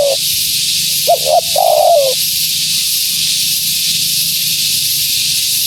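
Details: Female spotted dove calling, used to attract wild doves. A single cooing phrase of two short soft notes is followed by a longer falling croon, then silence over a steady high hiss.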